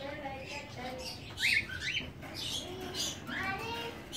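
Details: Cockatiel pair mating for the first time in a bird farm in Medan, giving bright rising chirps and quick upward-sweeping whistles mixed with lower warbled notes, rather scattered and uneven.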